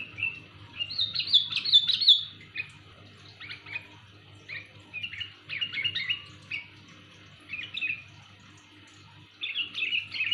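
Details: Sooty-headed bulbul giving loud, clear calls used for luring: bursts of bubbly, chirping whistled notes that rise and fall, in phrases spread over about ten seconds, with pauses between, over a low steady hum.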